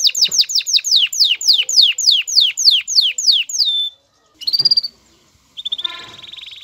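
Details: Male canary in courting mood, singing so the female takes the mating posture; about a dozen swooping downslurred whistles repeat steadily, then a short high buzzy burst and a quieter fading trill after a gap.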